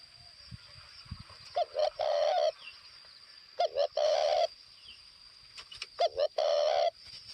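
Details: Decoy spotted dove, northwest Vietnam, repeating its call three times: two short clipped coos followed by a long, purring, rolling coo, every two seconds or so; faint rustles and a steady high tone behind.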